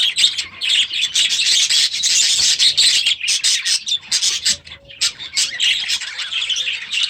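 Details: Grown-up baby budgerigars settling into a new aviary for the new season keep up a loud, scratchy, warbling chorus of squawks and chirps, thick and overlapping, with short gaps in the later seconds.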